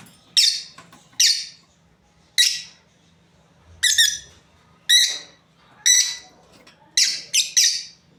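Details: Shrill, scratchy chirps from a breeding pair of lovebirds, about nine separate calls spaced roughly a second apart, a couple given close together near the end; low hum underneath.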